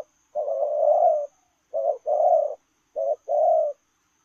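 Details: Spotted dove running and cooing, lèo rồng style: three low throaty phrases, the first a long drawn coo, then two pairs of a brief note followed by a fuller rolling coo.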